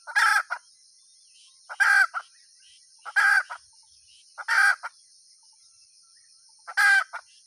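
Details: Hen repeating a loud, rasping squawk about every one and a half seconds, five times, each squawk trailed by a brief cluck, over a steady high background tone.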